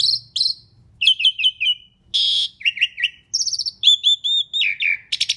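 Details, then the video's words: Loud, lively Asian pied starling singing, for luring other birds: piercing high whistles, quick series of bouncing chirps, a harsh rasp, nasal harmonic notes and slurred descending whistles, delivered in a dense varied sequence. "Kicau Jalak Suren Gacor Paling Nyaring - Durasi Panjang ISIAN FULL ROLL cocok untuk PANCINGAN"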